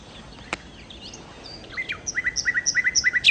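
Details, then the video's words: Sikatan londo, or nightingale, sings a few soft slurred whistles, then a rhythmic sequence of roughly a dozen evenly spaced, high, bright notes that grows louder toward the end. "kicau Sikata Londo( Nightingale Birds )"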